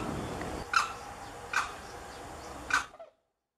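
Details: A single Limpkin calling at Lagunas de San Vicente reserve, Buenos Aires Province, Argentina, December 2017; three sharp, loud cries about a second apart over low rumbling background noise, ending abruptly.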